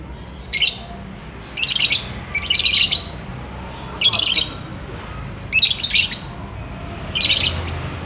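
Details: Lovebird chattering while courting and wanting to mate: six short, harsh, high-pitched chirp bursts, single or doubled, roughly every second or so, over a quiet background.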